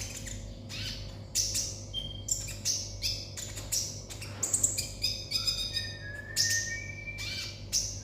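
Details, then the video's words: Olive-backed sunbird giving an energetic 'konslet' song: dense runs of high chirps and buzzy notes speed up, joined by several short rising whistles. Steady low hum underneath. "konin konslet"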